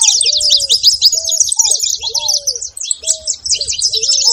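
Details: Saffron finch calls, a busy unbroken stream of high, sharp chirps and twitters, overlaid by lower, drawn-out whistled notes that recur every half second or so.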